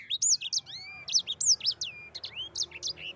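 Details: Yellow-fronted canary rolling 'ngerol' song, used to prompt other canaries to sing. Fast, varied high whistles with long rising and falling slides, continuous for the whole stretch.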